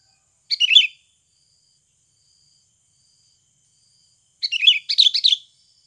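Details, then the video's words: Natural Sooty-headed bulbul song for luring birds into singing: a brief warbled phrase, a long silent gap of several seconds, then a longer run of quick, jumbled rising and falling notes. "SUARA ASLI PIKAT BURUNG KUTILANG"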